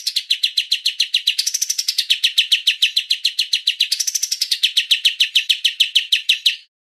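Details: Long burst of streak-eared bulbul 'tembak' song, a nonstop machine-gun series of crisp chirps, twice swelling into a higher arching run of faster notes before settling back to the steady rhythm.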